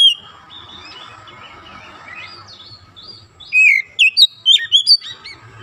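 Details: Magpie robin kept as a kacer songbird: soft warbling and low background hum at first, then a loud burst of sharp, slurred whistles repeated in quick succession.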